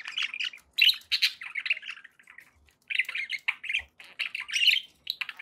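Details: Pet budgerigars, described as happy, chattering in dense bursts of scratchy chirps and short squawks around the upper-middle range, with brief pauses near two and a half seconds before the warbling resumes; a few soft low knocks.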